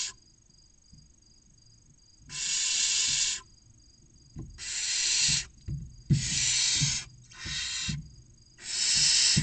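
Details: Six barn owl nestlings of 16 to 29 days in a nest box near Casa Palillos, Cabañeros National Park, Spain, calling for food: a quiet start, then five harsh rasping hisses in quick succession with light knocks.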